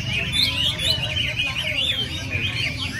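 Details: Chinese hwamei in training practice in early December sings a continuous, rich run of loud, fluid whistles that rise and fall quickly, over a low background rumble.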